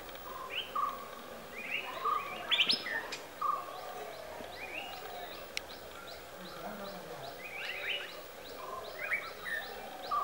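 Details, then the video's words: White-bellied Woodpecker behind a house in Kammardi village gives short, sharp single notes every second or so while pecking, among a busy chorus of high chirping from other birds. "White bellied woodpecker"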